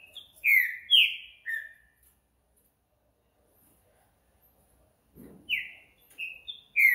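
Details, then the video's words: Green-winged saltator singing at night: loud whistled phrases of three or four notes, each note sliding downward around two to three kilohertz, with a quiet pause between phrases and a brief low rustle. "Trinca ferro Noturno"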